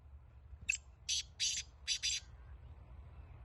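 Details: Black francolin, described as a pure Laka antique-breed kala teetar, giving a single phrase of five harsh, rasping notes in a quick stuttering rhythm over a steady low background hiss.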